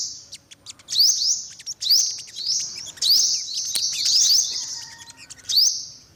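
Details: Olive-backed sunbird repeating long, thin, high buzzy notes introduced by quick upward sweeps, roughly one phrase per second, with scattered sharp clicks around them.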